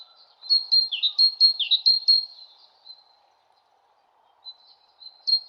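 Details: Bird song: a bright high tweeting phrase of quick repeated chirps with a few lower downward-slurred notes, about two seconds long, then a pause and the start of another phrase; no other sounds.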